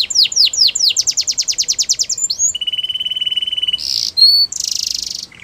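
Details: A Russian canary in flute song delivers a fast series of falling sweeps, then a level pulsed trill, a buzzy burst, a pure whistle and another harsh buzz, all loud and close.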